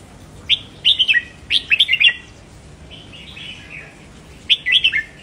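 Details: Red-whiskered bulbul song used to stimulate caged birds: bright whistled phrases of three to four quick rolling notes, each phrase dropping at the end, given in bursts with pauses between, against faint background hiss.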